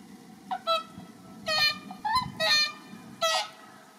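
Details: Captive Whooper Swans in a park in Iwanuma, Miyagi Prefecture, Japan, on 1 March, calling eagerly toward six wild swans that kept their distance; a rapid run of bugling, nasal honks, about one a second, with steady low hum.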